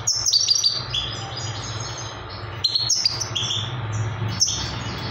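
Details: Trained young Himalayan goldfinch singing: rapid bright twittering bursts of high, tinkling notes, a quieter pause midway, then more lively chattering phrases, over a low steady hum.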